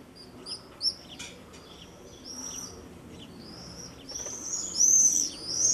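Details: Common swifts (Apus apus) in Soest, 5 July 2009, give shrill, buzzy screams high in pitch, several birds calling in quick overlapping bursts that swell louder toward the end.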